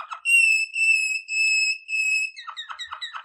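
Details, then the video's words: Waterslager canary singing for training: four long, pure whistled notes held at the same pitch with short breaks between them, followed by quick descending chirps. "Legendary Waterslager Canary Singing For Training"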